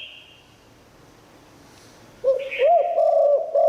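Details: Cooing song of a spotted dove in the liu tan style, sung to attract wild birds: after two seconds of quiet, a loud run of low looping coos begins and holds steady to the end.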